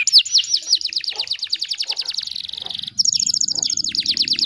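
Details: Long, lively canary song meant as a training model for other canaries; dense rolling trills of quick repeated notes, a brief break, then bright rapid rattling phrases with a faint low background rumble.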